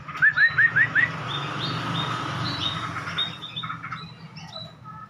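A munia gives a quick run of five thin, upslurred chirps in about a second, then softer high squeaky notes over a low background hum.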